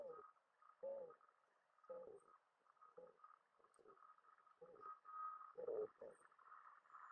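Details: Mourning dove calling: low, hollow coos repeated about once a second, each a short husky note with faint overtones, over a steady background hum.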